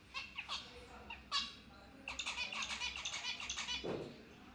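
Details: Lovebirds chirping: scattered short high chirps at first, then a fast run of bright twittering notes through the second half, with a soft low thump near the end.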